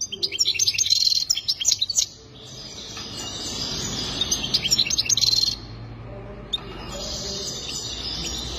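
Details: Goldfinch singing for mating in three separate bursts of high, jingling twitters and trills, each about two seconds long, with quiet gaps and a low hum between.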